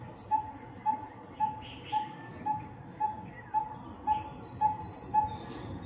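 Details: A coppersmith barbet (Psilopogon haemacephalus) calls in a steady series of hollow, mid-pitched 'tuk' notes, about two per second, with faint chirps from other birds in the background.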